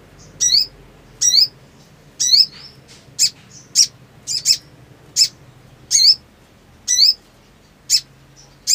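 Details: Black sunbird in breeding condition, calling vigorously. Alternating buzzy, downward-sliding chirps and sharp, very high chips repeat about once a second over nearly nine seconds.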